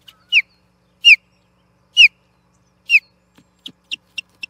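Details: Osprey fighting an intruding osprey over nest Platform 1 at Charlo, 8 June 2021: four sharp descending whistled chirps about a second apart, followed by a quicker run of soft, short notes.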